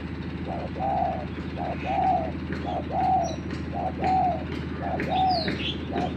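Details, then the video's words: Spotted dove used as a lure bird against a newly trained dove. It coos steadily, a short lead note and a drawn-out arched note repeated about every second, over continuous low mechanical humming. "TEKUKUR PIKAT VS TEKUKUR AJARAN BARU"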